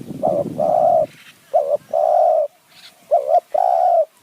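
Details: Loud close cooing of a spotted dove used to lure wild doves with a decoy in Kanchanaburi mountain forest, Thailand: three short-then-long coo pairs, mellow and even, with a brief rustle at the start.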